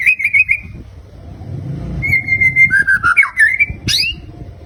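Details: Murai batu (white-rumped shama), a fighter bird, gives a steady held whistle, then wavering lower warbled notes and a sharp rising sweep to finish. A low hum runs in the background.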